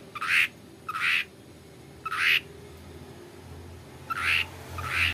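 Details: Long-tailed shrike lure recording, meant to get another shrike to respond and sing: harsh, raspy squawks repeated roughly once a second, with a brief gap in the middle.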